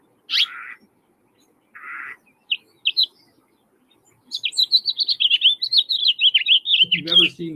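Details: House finch song played back during a birding-by-ear class, described as very squeaky, slightly erratic and repetitive, going up and down; a few scattered chirps, then a fast warbling run of rising and falling squeaky notes, a low voice at the end.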